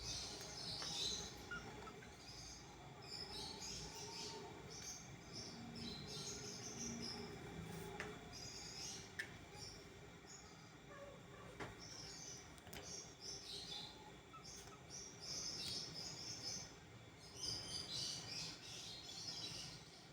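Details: Budgerigars in a pet store chatter and warble in a busy, overlapping chorus of high chirps.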